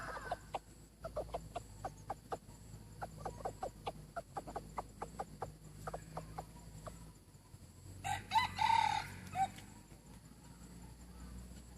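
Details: Decoy chicken praised for its fine voice and beauty, giving a long run of sharp, evenly paced clucks for about seven seconds, then a brief, rough crowing burst, over a steady low hum.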